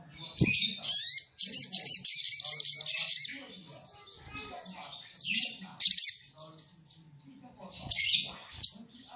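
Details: Olive-backed sunbird, known locally as sogok ontong, singing long clear bursts meant to rile rival birds: two runs of rapid, high, evenly repeated trilled notes, then separate loud squeaky phrases near the sixth and eighth seconds.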